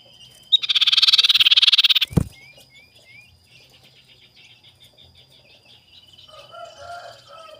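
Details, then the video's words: Captive collared scops owl giving a rival-seeking lure call: a single dense, rapidly pulsed rasp, then a sharp knock and quiet small chirps, with faint twittering near the end. "SUARA CIPOW CARI LAWAN/PANCINGAN BURUNG SIRTU"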